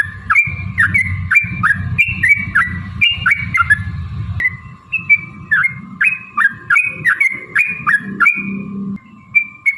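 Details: Sooty-headed bulbul song, long and rapid, played to make other birds sing back. Bubbly, descending two-part phrases recur roughly twice a second over a murmuring low background and a steady hum.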